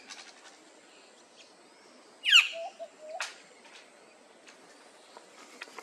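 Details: Figbird calling at a workplace: one harsh, scratchy downward squawk followed by a few soft low notes, then a second brief rasping call, with faint ticks and clicks in the background.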